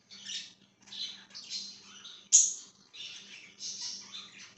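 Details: Budgerigar kept as a pet, chirping on 5/10/2023: short scratchy warbled phrases separated by gaps, one sharp loud squeak midway, with a faint low hum underneath.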